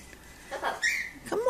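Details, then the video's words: Pet blue-fronted amazon parrot indoors, talking and mimicking its owner's voice while watching another parrot on screen: a low murmur, then a drawn-out whistled tone near the middle and a rising squawk at the end, with a person's voice nearby. "Best of Nelly Blue Fronted Amazon Parrot"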